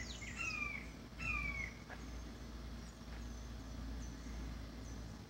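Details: Juvenile red-shouldered hawks in the background beg and complain while a resident adult pair shares a meal of chicken hearts on a property. Two loud, slurred, downward screams arrive close together, followed by quiet, steady background hum.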